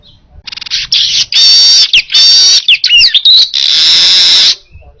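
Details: Baya weaver in strong clear song for training other birds: a quick ticking rattle opens into loud buzzy bursts, looping whistled notes, and a closing drawn-out sizzling wheeze.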